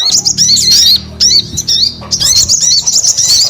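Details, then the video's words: Sogon singing in rapid high phrases of sharply looping whistles and slurred notes, the bursts broken by brief gaps, over a faint low hum. "SUARA SOGON GACOR"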